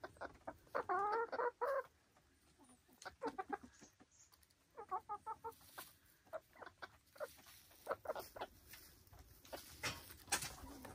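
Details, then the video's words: Silkie chickens on a Vermont hill homestead cluck and chatter in short, irregular bursts of nasal, stacked notes, with a louder squawking run near the start and softer murmurs throughout. "Relaxing Silkie Chicken Sounds"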